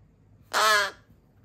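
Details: Single loud, hoarse caw lasting about half a second from one of three rescued crow chick siblings that were abandoned in a garbage bag, now on rescue days 26-27 and quite noisy.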